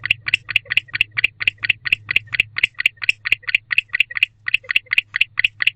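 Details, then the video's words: A male barn owl returns to the owl box at night, 10:37 pm on 10/25/23, calling to his mate. He gives a rapid, steady series of short raspy clicks, about four per second, over a low constant hum. "Male Barn Owl Back in the House Calling to His Mate"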